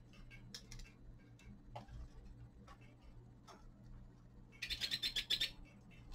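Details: A young male common linnet in winter delivers a quick run of about eight clipped, twittering notes near the end, after scattered soft clicks over a low steady hum.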